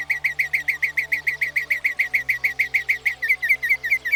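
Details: Northern Mockingbird, a bird that can learn up to 200 different sounds, repeats one short whistled note rapidly and evenly, about five per second, then switches to quicker slurred notes near the end.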